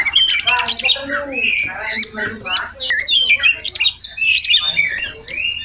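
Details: Oriental magpie-robin visiting a house every morning, wild and possibly nesting nearby: varied whistles, chirps and a few harsh notes spaced irregularly, somewhat quieter, with a faint background hum.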